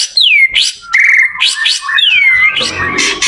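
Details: White-rumped shama singing as a model for other shamas to learn from: clear descending whistles that sweep down and level off, answered by short chattering notes and bright rising slurs, then more raspy notes at the end.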